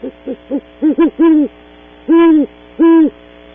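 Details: Great horned owl pair at a cavity at Audubon Starr Ranch, California, early morning, nest camera: a quick run of short stuttering hoots building to three long, loud, deep hoots spaced under a second apart, over faint hum.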